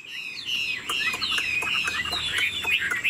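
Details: Caged Chinese Hwamei, described as 90% pure, singing with head-nodding and wing display. A short, dense burst of overlapping warbled whistles and chirps over a faint background hiss.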